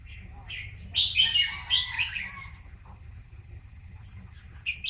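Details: Red-whiskered bulbul kept in a cage for two years delivers one rich, warbling whistled phrase of quick bubbling notes, then a short clipped note near the end, with faint background hum.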